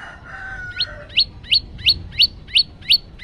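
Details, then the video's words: Phone recording of a male prenjak lumut (prinia) in 'tembakan' song: opens with a lower drawn-out call, then seven sharp rising chirps in a regular series. "Tembakan santuy prenjak lumut jantan"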